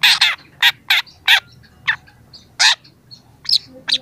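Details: Young long-tailed shrike in strong song for a training recording: spaced, rasping, broadband notes, a double burst opening then single harsh calls roughly every half second, ending with two thinner high chips.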